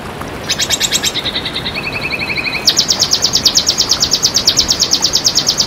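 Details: A red siskin tutor recording opens with a rapid bright trill, drops into a softer lower buzzy rattle, then breaks into a loud, steady run of sharp high notes that lasts to the end.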